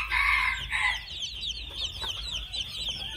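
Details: A harsh, raspy call in two parts from a two-month-old red junglefowl fills the first second. A constant shrill chirping chorus continues behind it.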